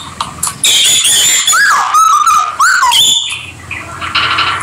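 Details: Peach-faced or rosy-faced lovebirds kept as pets, playing together; loud shrill squeals and rising-falling whistled notes mixed with rapid raspy chatter, several sharp calls in quick succession.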